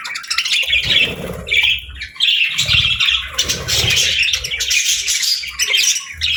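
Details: Cheerful pet parakeets chatter in bursts of high, raspy squawks and warbling chirps, several birds calling at once with brief lulls.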